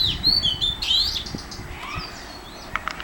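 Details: Oriental magpie-robin at Mormugao Harbour, Vasco da Gama: clear high whistled notes, some sliding, over steady low harbour rumble, with a few sharp chips near the end.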